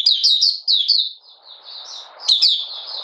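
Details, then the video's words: High, sweet twittering from a kept Malaysian Oriental white-eye in light moult, singing 'buka sing': a fast run of thin notes, a softer descending stretch, then a renewed bright burst, with low rustling beneath. "Malaysian Mata Puteh Buka Sing"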